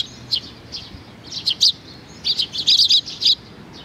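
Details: Several sparrows coming in for food on 15 May 2019 give high, clipped chirps, scattered at first and then bunching into a dense burst of overlapping notes in the second half.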